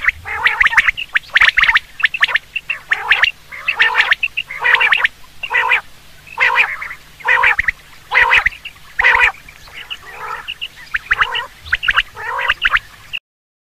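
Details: Common quail, locally called batir, calling for use in hunting: harsh, clipped bursts repeated roughly once a second, some in quick clusters of two or three notes, with a faint low hum underneath.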